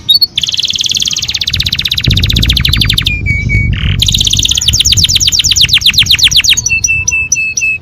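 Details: Canary singing to stimulate breeding: long, rapid rattling trills of repeated high notes, a brief low whistle, more fast trills, then a string of short, level, piping notes; a low background hum throughout.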